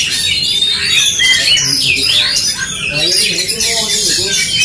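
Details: Oriental magpie-robins in a fighting duel: rapid high chirps and swooping whistled slurs come in quick succession, with lower rasping squawks and tremulous notes toward the end.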